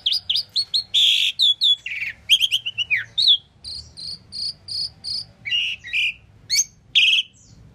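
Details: Asian pied starling chirping and singing: high whistled and buzzy notes, a rising-falling slur, then evenly spaced short chirps repeated about every third of a second.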